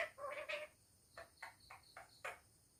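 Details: Parrot kept at home, talking: a short mid-pitched phrase, then a string of brief, crisp syllables, quieter and spaced about a quarter-second apart, over low room noise.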